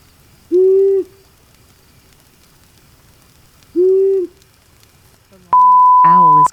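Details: Long-eared Owl, quiet and secretive, gives two soft, low, steady sigh-like hoots about three seconds apart; a short electronic beep and a man's voice follow at the end.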